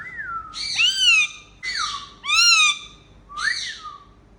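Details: Playful pet Indian ringneck parakeets giving happy calls: five loud arched whistles, each sweeping up then down with rich harmonics, spaced about a second apart in a quiet room.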